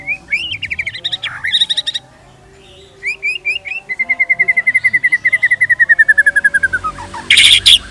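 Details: White-rumped shama giving energetic pancingan (lure) song used as tutoring material for murai: quick rising whistles and buzzy bursts, then a long even run of about twenty rapid repeated notes slowly falling in pitch, ending in a harsh burst.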